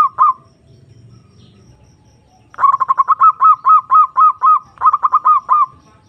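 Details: Zebra dove (perkutut) calling a rival, a lure to stimulate silent or stressed birds: a brief coo, a pause, then a long run of rhythmic, rolling coo notes repeated about four times a second in grouped phrases.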